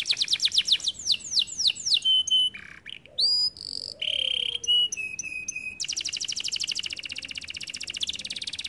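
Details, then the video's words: Canary singing: a fast series of downward-sweeping whistles, then varied notes and steady tones, ending in a long rapid buzzy trill. "The canary sings beautifully"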